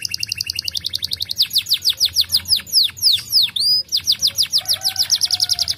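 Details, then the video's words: Canary singing to prompt other birds to join in, a long run of rapid downslurred trill notes, briefly broken by a few sweeping upward and downward slurs before the fast trill resumes. "The sound of the canary makes other birds join the sound"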